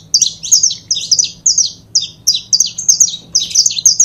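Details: Saffron finch pair (canário-da-terra), noted as good for 'foguear', repeating sharp, slurred high notes in fast bunches of two to four, with brief gaps between bunches over a low hum.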